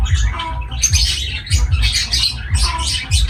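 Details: Pet lovebirds calling: bursts of harsh, chattering squawks high in pitch, repeated in irregular clusters roughly every second, with a steady low hum underneath.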